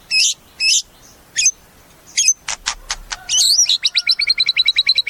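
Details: White-rumped shama in a cage delivering varied song: sharp high notes, several harsh rattling bursts, then a fast trill of bright, clipped notes.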